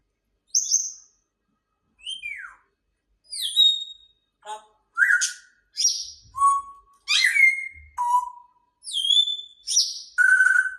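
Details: Grey parrot producing a varied string of about a dozen clear whistles, some falling, some rising, some flat, with occasional clicks and a buzzy note, roughly one every second in a quiet setting.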